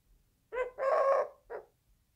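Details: Eurasian collared dove giving one three-part coo: a brief first note, a long drawn-out middle note, and a short final note.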